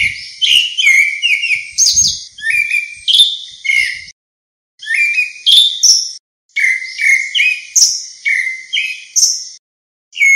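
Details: Calling its flock, a grey-backed thrush gives long rushing sequences of slurred, bouncing whistles, several each second, separated by brief silences. Faint low thuds are heard early on.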